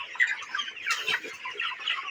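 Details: Broiler chickens at 29 days old in a farm shed; continuous overlapping chirps and soft clucks from the flock, with a brief louder rustle near the middle.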